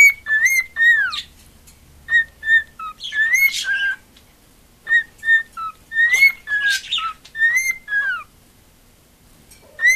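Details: Female pet cockatiel singing for attention indoors: a string of clear whistled notes, several with falling slides, grouped in quick phrases, with occasional harsher buzzy notes and short gaps of quiet between.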